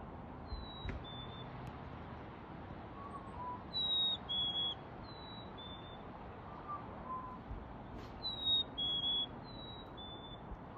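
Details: Evening whistles of a black-capped chickadee in a backyard in NW Calgary, Alberta, 6 pm, February 28, 2021: pure high notes in pairs, each dropping slightly, given in two spaced bursts with a couple of faint clicks between.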